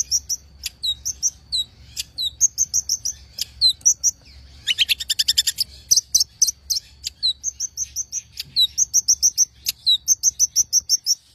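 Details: Long-tailed shrike song: rapid series of high thin chirps and short slurred notes repeated in quick bursts, with a dense buzzy trill in the middle and a faint low hum beneath.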